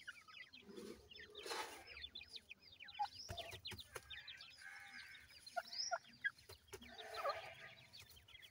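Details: Irani teetar chicks, grey francolin young, keep up a busy chorus of short falling peeps, many overlapping, interrupted by knocks and rustling, with a steady low hum behind.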